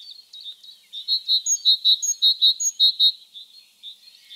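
A Great Tit sings a quick run of about a dozen bright, high notes, five per second, trailing off into softer, scattered chips.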